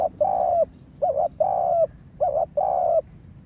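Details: Spotted dove kept as a lure bird for trapping, cooing in a repeated pattern: a short double-noted coo followed by a longer, drawn-out falling coo, heard twice over a low background hum.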